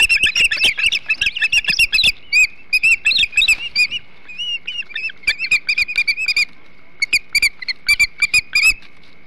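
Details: Ospreys at their Hog Island nest on 21 July 2016, feeding on a huge flounder, give rapid bursts of high, sharp, whistled chirps, repeated in quick series, over a faint steady high tone and scattered clicks.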